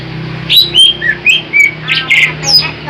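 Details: Large greater green leafbird song used as a lure for trapping birds: loud varied whistled phrases, some sliding down, others bursting into rich warbled notes, about two per half second, over a steady low hum.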